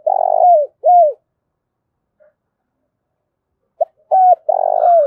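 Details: Spotted dove giving low mellow coos: a rough rolling coo and a clear arched note, a pause of nearly three seconds, then a short note, an arched coo and another rolling coo.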